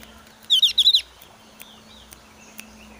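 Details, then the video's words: Javan grey-throated white-eye in breeding season, highly excited, its voice merged into one sound, challenging a rival: a single burst of five quick, sharp high notes, then faint scattered chips over a steady low hum. "opior jawa gacor emosi tinggi"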